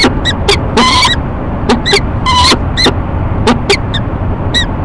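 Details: Peregrine falcon pair courting at a nest box on a Times Square building in Rochester, NY, morning of 19 March 2011: loud harsh ee-chup calls from both birds, short repeated bursts with some longer rasping notes, over a steady low city rumble.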